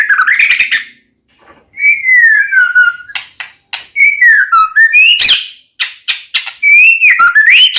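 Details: White-rumped shama of the Medan type used as a lure to provoke another shama into singing; loud, varied whistled phrases, sliding and wavering downward, separated by brief pauses and sharp clicking notes.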